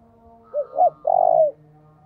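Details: Spotted dove used as a decoy, giving one low mellow phrase: a short coo, a rising-falling coo, then a long sustained cooing note that slides down at the end, over a faint steady hum.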